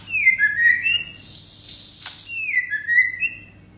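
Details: White-rumped shama song intended to stir up aggression in caged birds: clear down-slurred whistles, a long high sustained trill with a sharp click, then repeated falling whistled notes.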